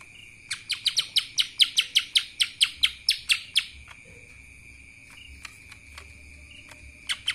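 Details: A lesser green leafbird sings kapas tembak: an even string of loud, sharp, descending chips about six per second, then quieter scattered notes and two final calls, with a continuous thin tone throughout.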